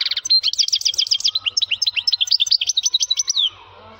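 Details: Male European goldfinch singing loudly: a fast, unbroken stream of bright twittering notes, first a buzzy trilled run, then quick liquid chirps and high tinkling phrases, stopping abruptly after about three and a half seconds, with a faint low hum beneath.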